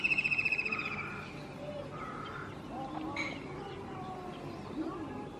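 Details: White-throated kingfisher singing from a rooftop: the tail of a loud, rapid, high trill slowly descends and fades during the first second, followed by softer scattered notes and faint background noise.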